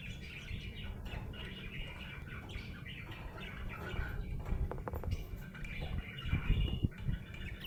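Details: Happy budgerigar chirping in a steady, soft warble of overlapping twittery notes, partly masked by low rumbling and thumping noise.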